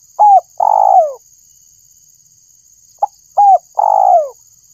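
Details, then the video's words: Spotted dove lure call, two repeated phrases about three seconds apart, each a short click-like note, a curved coo and a drawn-out descending coo, over a thin steady electronic tone. "suara burung tekukur_pemancing suara tekukur"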